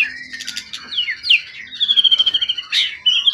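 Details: Forest-caught event bird, long-tailed over 20 cm, calm after long keeping, sings clear descending whistles, a long steady whistled note, then a quick stuttering series and a final bright rising note.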